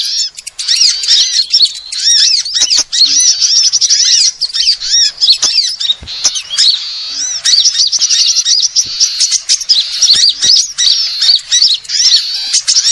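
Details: Sunbird lure chorus mixing many species: a long, busy stream of piercing high chirps, squeaky slurs and rapid trills, with occasional clicks and short dips in loudness.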